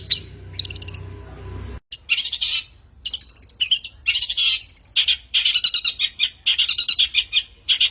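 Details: Lure song of a long-tailed shrike: a brief thin passage, an abrupt cut, then dense, rapid, scratchy chattering phrases with squeaky whistles, almost without pause.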